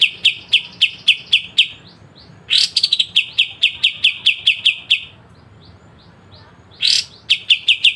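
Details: Kapas tembak, the pied triller, singing in the sharp 'besetan' style used to train songbirds: quick strings of clipped high notes, each string starting with a falling slur, broken by brief pauses.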